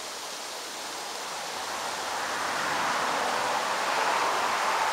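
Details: Continuous rushing, surf-like noise builds gradually louder throughout, with no bird or other animal voice audible.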